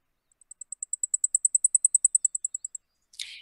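Blackpoll Warbler song: about two dozen very high, thin ticking notes on one pitch that swell in loudness, then fade, with a brief rustle at the end.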